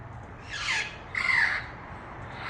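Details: Parrot giving two harsh, drawn-out squawks about half a second apart, the second louder and rougher, against a faint low background rumble.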